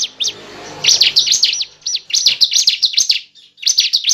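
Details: Bar-winged prinia (ciblek) call used as a lure for trapping birds: bursts of sharp, high chirps, each a quick up-and-down note, delivered in three quick runs separated by short pauses.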